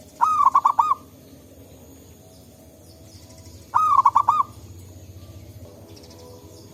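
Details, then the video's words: Local wild zebra doves in forest, calling back and forth. Two bursts of quick staccato cooing notes come about three seconds apart, each a short stuttering phrase, over a steady low hum of background noise. "Suara Burung Perkutut Lokal Gacor"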